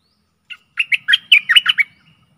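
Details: Stripe-throated bulbul decoy phrase for luring fierce wild birds: a single brisk run of eight gurgling, chirped notes lasting just over a second, against a very faint low hum.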